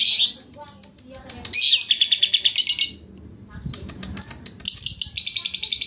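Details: Lovebird ngekek song recorded for training: harsh high chirps, then a rapidly pulsed buzzy trill, a pause, and a second long rattling trill toward the end, with soft low background noise.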